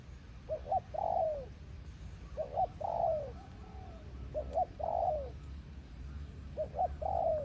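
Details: A decoy spotted dove kept on the ground coos in short series: two quick soft notes followed by a drawn-out falling coo, repeated about every two seconds over a low rumbling background.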